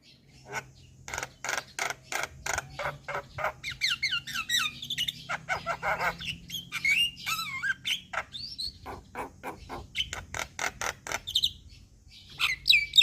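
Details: Starling lure recording aimed at jalak species: a long stream of rapid harsh chattering pulses mixed with twisting whistled phrases, busy and scratchy throughout.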